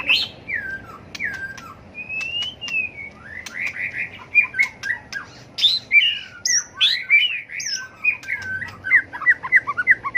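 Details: White-rumped shama flicking its tail while delivering competitive fighting song used in song training: varied whistled slurs and downswept notes, building into fast, dense chattering phrases over about ten seconds.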